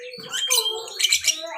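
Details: Young lovebird, kept as a songbird in Salatiga, Indonesia, chattering. Two quick bursts of shrill, squeaky chirps with rising and falling whistled tones, in little more than a second.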